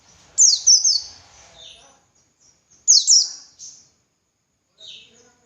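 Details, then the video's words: White-eye of the dakun type singing in ngalas style, a master recording for training other white-eyes: two short bursts of shrill, sliding twitters about two and a half seconds apart, each followed by a softer lower chirp. "Masteran Suara Burung Pleci Gacor Ngalas Nembak Buka Paruh"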